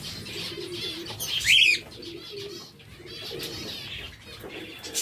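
Zebra finches give soft, nasal chatter and buzzy notes, with one brighter, louder burst near the start. A low cooing hum sits underneath, as if from a dove nearby.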